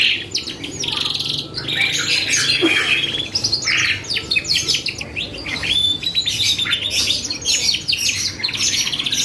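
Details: Captive canary in full, energetic song played as a lure to draw responses from other birds: dense runs of high chattering trills and sharp rattling notes that rise and fall, broken by short gaps, over a faint low hum.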